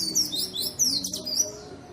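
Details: Persistently singing white-eye, a lure for reluctant singers: fast, shrill, high-pitched warbling phrases of short downslurred notes in two or three quick bursts, with a faint low hum underneath.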